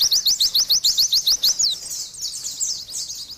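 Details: Oriental white-eye singing briskly: about a dozen crisp, upward-flicked chirps in quick series, then softer, scratchier warbling notes trailing off.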